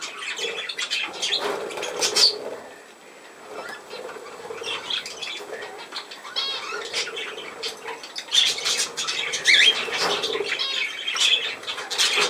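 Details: Budgerigars chattering indoors, a dense stream of scratchy warbles and short chirps high in pitch, with bursts of wing flapping and brief sharp squeaks scattered through.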